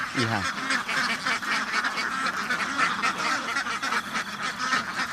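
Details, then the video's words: A flock of farm ducks quacking nonstop in a rough, overlapping chatter. One stretched, wavering call opens the stretch, then the steady raspy din continues. "duck farm ducks house بطخ بطخوں کا فارم"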